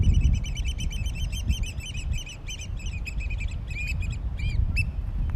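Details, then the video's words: Oystercatchers in a courtship dance at Stratford Point Sanctuary in May 2021 give a fast stream of piercing piped notes that slows and breaks into separate, drawn-out peeps near the end, against blustery wind. "la danza degli uccelli oystercatchers"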